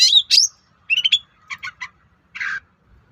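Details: Long-tailed shrike singing to draw replies from other shrikes: a couple of high sharp notes, then clipped chattering bursts and a harsh buzzy note, separated by short silences.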